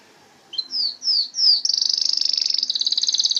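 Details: Canary singing: a few short descending whistles, then a fast, loud trill of rapid high notes running steadily for the rest of the phrase.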